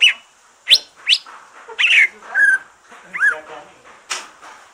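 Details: Green leafbird after its moult singing to stimulate other birds: a rapid string of sharp whistles, rising sweeps and scratchy chirps in quick bursts, with a faint hiss behind.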